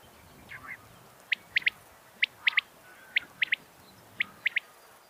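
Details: A female common quail gives sharp, high, clipped notes, singly then in quick pairs, about once a second, over faint hiss; this call is said to draw quail flying in.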